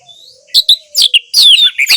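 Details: Orange-headed thrush singing, played to get silent birds singing: a thin faint whistle, then loud, varied, rapid whistled phrases with sharp slurred notes and squeaky twittering.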